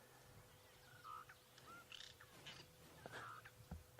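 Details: Cape Glossy Starlings feeding in elephant dung in the bush on a morning drive give a few short slurred whistles and harsh, scratchy chatter notes, spaced irregularly, over a low engine rumble and hum.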